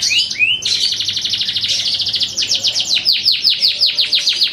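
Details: Canary of the line known locally as Darah Biru singing a fast, continuous song: high trills and rapid repeated notes, shifting after about two seconds into a series of descending sweeping whistles repeated several times a second.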